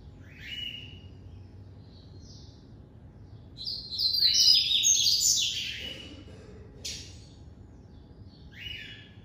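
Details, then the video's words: Captive-bred double-collared seedeater (coleiro) giving the classic song: thin high notes, then a loud burst of rapid buzzy, warbling phrases sweeping up and down, fading to short downslurred notes; faint low background hum. "Coleiro Branco"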